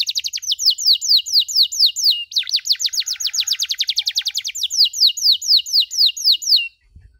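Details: Canary tutor track of 'cuit cuit' chirps meant for young birds learning: loud falling chirps that speed into a fast even trill, then ease back into slower spaced chirps before stopping.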